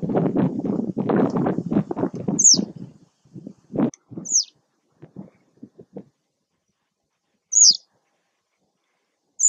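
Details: Citrine wagtail at Taglio di Po (RO), 2 May 2021. Low rumbling noise and knocks open the recording, then four sharp, high, downward-sliding calls follow in otherwise quiet surroundings.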